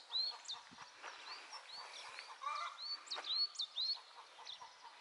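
A busy chorus of short, high whistled notes, arched and rising, about two a second, from several overlapping birds over a steady background hiss.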